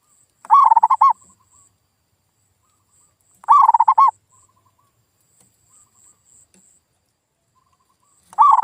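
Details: Zebra dove (perkutut lokal) lure sound for coaxing a quiet bird back into calling: three bubbling coo phrases spaced roughly 3.5 seconds apart, each a short pulsed trill closing on a swelling, falling note; faint hiss behind.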